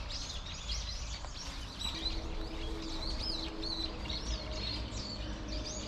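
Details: Eurasian tree sparrows gathered in a persimmon tree trade lively, twittering chirps, many short rising-and-falling notes overlapping continuously above a low rumble.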